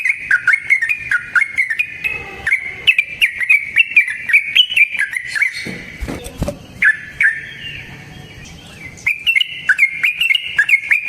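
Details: Rapid, long Yellow-vented bulbul song used as a lure: continuous sharp chirps, interrupted around the middle by loud knocking noises, then chirping again.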